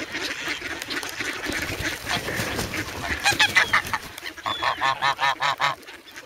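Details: Grown young geese in the snow at Sloterpark, Amsterdam, on 3 February, noisy and hungry, pecking for bread, filmed with a Sanyo-SH1. Blurred background noise gives way to a clear run of about eight nasal honks, one after another.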